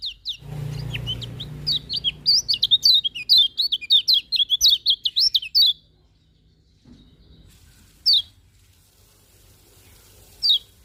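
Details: In the morning a lemon-bellied white-eye pours out a fast run of high, twittering, slurred notes for about five seconds, followed by quiet with two single sharp chirps later on.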